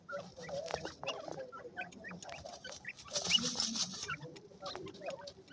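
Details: Grey francolin chicks in Pakistan: a rapid, irregular stream of short, high chirps and peeps, about three per second, with a brief hissy burst of noise midway.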